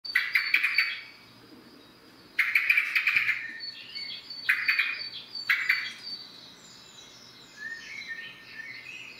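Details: Common blackbird in the morning: short bursts of bright chattering notes, each about a second long, separated by pauses of one to two seconds; faint higher twitters follow near the end.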